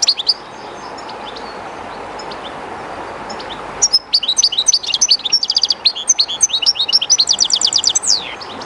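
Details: Goldfinch belonging to a bird keeper, singing near the running water of the Jerte river: a few faint scattered notes, then a lively tinkling phrase building into a fast repeated trill and a downward slur, river noise throughout.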